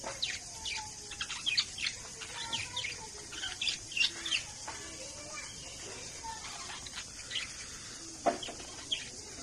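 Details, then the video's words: Several pet budgerigars keep up a soft, busy chatter of thin high chirps and brief squeaks, with some wing-flutter noise and a steady faint hiss. "Cute Bidgerigar Birds - Pet Birds"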